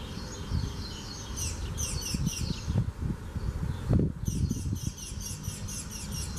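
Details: Spanish sparrow in Gáldar, Gran Canaria, March 2017, giving rapid high chirps in two runs, partly masked by low thumping and rustling noise, with a loud knock between the runs.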